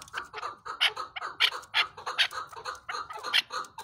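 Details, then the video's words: Chukar partridge giving rapid, harsh chuk-chuk notes in an uneven series, several per second, the louder notes sounding brighter and more ringing. "Chakoor Bird Beautiful Sounds |چکور کی آواز"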